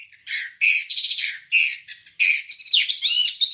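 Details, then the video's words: Wambie bird song from a long training recording used to teach songbirds: a fast run of short chirps and warbled notes, with high bright twisting phrases near the end. No other sounds. "Ocehan Suara Burung Wambie"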